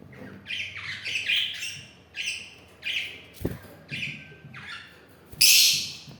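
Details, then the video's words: Lovebird calling indoors: a series of shrill, slightly downslurred squeaky notes about every half second to second, ending in one louder, harsher screech, with a sharp knock in the middle. "Lovely Love Bird Making Sweet Sounds"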